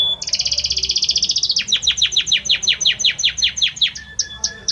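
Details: Belgian canary male in song for his female: a fast even trill, followed by a run of repeated down-slurred notes and short high whistles.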